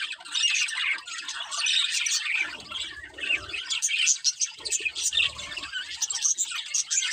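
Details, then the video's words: Breeding pair of pet budgerigars chirping and squawking, a dense stream of harsh, high warbled notes with short chattering bursts and a few low thumps and rustles in between. "Cute Budgies Chirping Sounds | Love Birds Breeding Pair"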